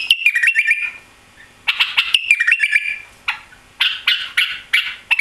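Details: Recently arrived White-eared bulbul, tail lost while travelling to Europe, repeats a stepped whistled phrase with quick clicks twice, then adds harsher chattering bursts.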